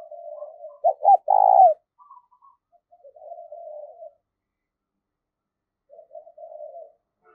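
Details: Decoy spotted dove calling wild doves: one loud coo phrase of two short notes and a drawn-out coo, then faint, muffled cooing and silence.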